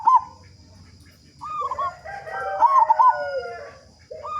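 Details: Zebra dove of a local strain with a strong voice, used to prompt other doves into song, gives staccato bubbling coos and drawn-out rolling notes, overlapping and layered in the middle.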